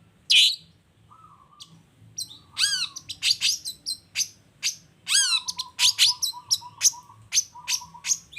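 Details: Long-tailed shrike singing profusely in the 'toet toet' style, played as a lure to make other shrikes answer: a rapid, varied run of sharp chirps, high descending whistles and brief buzzy notes, with low, flat, steady tones repeated between phrases.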